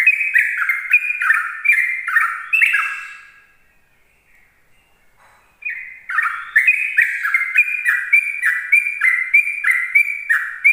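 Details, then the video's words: Sooty-headed bulbul giving rapid ropel-style morning song, used to lure other bulbuls: fast strings of bright, falling whistled notes, about three per second, broken by a short silent pause before the run resumes. "Suara Trucukan Ropel pagi"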